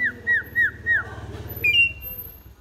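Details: Asian pied myna singing: four clear whistles, each sliding downward, evenly spaced about a third of a second apart, then a longer, higher whistle that rises and holds steady, over a faint low hum.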